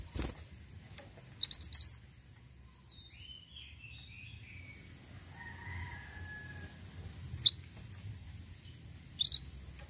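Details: Ashy tailorbird: a short burst of rapid rising chirps, followed by quieter drawn-out whistles from other birds and occasional single high chips, over steady background hiss and hum.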